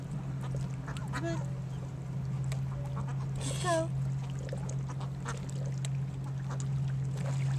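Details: A male mute swan trained to call on command gives a few soft, nasal, honking grunts with one stronger call near the middle, over a steady low hum, distracted by ducks quacking nearby; Mute swan.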